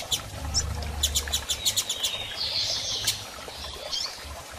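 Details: Female double-collared seedeater, excited and asking to mate, giving a quick series of sharp chirps followed by a thin buzzy whistle, over a faint low hum.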